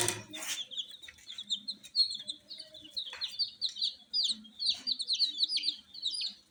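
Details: Newly hatched Fracas chicks piping loudly at night, many quick high chirps overlapping in a busy chorus, with some soft lower sounds and a rustle at the beginning.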